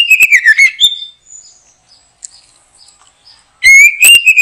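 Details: White-rumped shama at a backyard trapping site: a descending whistled slur ending in a higher note, quiet faint chirps, then a fresh loud rising phrase.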